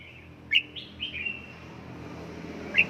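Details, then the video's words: Red-whiskered bulbul kept at home during song training toward the fierce 'căng lửa' singing state. It gives a few short sharp whistles and a brief slurred phrase, widely spaced, over a steady hiss of background noise. "Cách luyện chào mào căng lửa | Dợt chào mào tại nhà, QUÁ HAY nhanh căng lửa chào mào"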